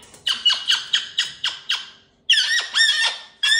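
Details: Caged pet cockatoo playing with new jingly toys on its cage, chattering: a run of six short, harsh, buzzy squawks about a quarter second apart, then a pause and longer, louder rasping, warbling calls. Indoors.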